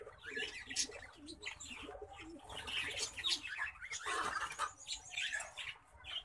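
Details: Orange-breasted mutation zebra finch pair (Taeniopygia guttata) give short, nasal, toy-trumpet beeps and chatter in a dense, overlapping stream.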